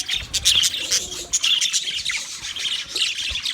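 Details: Budgerigars chattering as a group for a solitary bird, a bright, constant stream of high chirps, whistled squeaks and rapid warbling notes.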